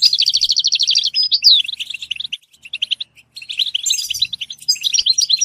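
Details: Goldfinch song for stimulating goldfinches to sing: starts with a fast, evenly repeated trill of chirps, then a downslurred whistle, looser twittering, a short pause and a renewed burst of bright notes.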